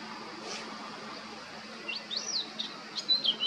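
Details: Singing male blackcap, Baška on Krk island, Croatia, 20 July 2022: near silence at first, then a few sweeping, clear whistled notes rising and falling in the final seconds, against a faint background hum.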